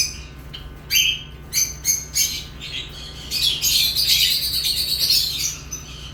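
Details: Lovebirds chirping: a few sharp separate chirps, then a longer run of harsh, high, rasping chatter near the end, over a low steady hum.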